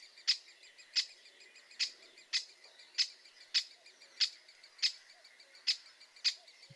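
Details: Great spotted woodpecker call: sharp, high 'kik' notes, about ten in under seven seconds, spaced irregularly around two-thirds of a second apart, against an otherwise quiet background.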